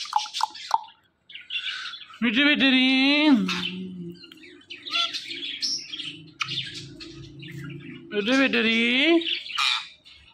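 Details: Pet parrot, five years old, talking: a few quick chirps, then two long nasal speech-like phrases with stacked harmonics, separated by a quieter stretch of low murmuring.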